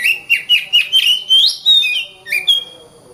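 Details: Kacer, the Oriental magpie-robin, singing continuously ('gacor rapat') as training for contest birds: rapid run of varied whistled notes with upward slurs and trills, then a few longer level whistles, clean with no other sounds.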